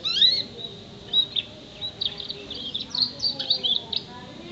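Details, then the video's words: Six-month-old canary singing a mimicry-filled song with imitations of house sparrow, prinia, white-eye, blackthroat, bar-winged prinia and whistling; fast run of high chirps and trills, briefly loud then steady, faint background hum. "Kenari 6 bulan isian komplit"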